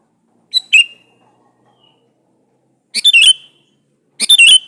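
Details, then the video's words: Sooty-headed bulbul male calling to a female, a recording meant to draw replies from other bulbuls; three separate short phrases of clipped notes with a trailing whistled tail, spaced over a second apart. "suara burung KUTILANG jantan gacor memanggil betina"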